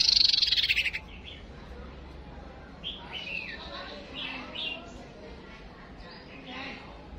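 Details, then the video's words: Male and female white-rumped shamas used as decoy birds for fighting, giving a series of short whistled phrases in the middle-high range after a loud noisy burst at the start; faint background noise throughout. "Chim Huýt Cô Trống Lên Mồi Cấp Tốc"Chim Huýt Cô Mái Mồi Đấu"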